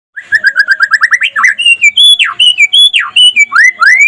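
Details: White-rumped shama song recorded by day for use as a master to make other shamas sing: a fast series of about twelve rising whistled notes, then loud slurred whistles swooping down and up, clear and ringing.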